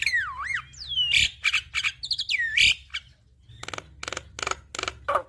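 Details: Javan myna song played to coax a reluctant bird into singing: looping whistled slurs and rising swoops, then a series of harsh raspy squawks repeated about every half second, over a faint low hum.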